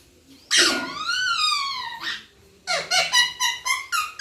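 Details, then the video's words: Pet parrot imitating the word "papa": one long, arching, nasal drawn-out note, a pause, then five clipped rhythmic syllables in quick succession, close and loud indoors. "Papa Bolne Wala parrot/Parrot Talking"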